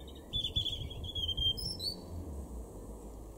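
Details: European robin in a garden at Weener, East Frisia, April 2021: a sweet warbled phrase of high whistles and short trills, rising toward its end, with low-pitched rumble underneath.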